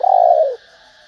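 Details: Female spotted dove giving a single drawn-out, hoarse coo that slides slightly downward at the end, a call meant to stimulate males; a faint hum is left behind.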